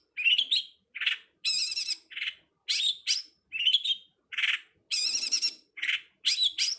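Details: Long-tailed shrike, known as cowet, codet or pentet, recorded as a training master for songbirds. Alternating twisting whistles, low husky notes and long buzzy rattles, a busy, mimic-like sequence with short pauses.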